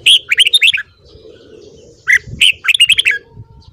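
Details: Morning song of a red-whiskered bulbul for voice training: two rapid phrases of clear, warbling notes rising and falling, each about a second long, separated by a short quiet gap with low background rumble.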